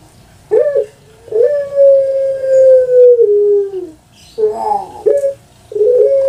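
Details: Kept puter pelung dove, a breed known in Java, Indonesia. It gives a clipped opening note and then a drawn-out, even coo that sinks toward its end. Another rising, stuttering phrase begins after a short gap.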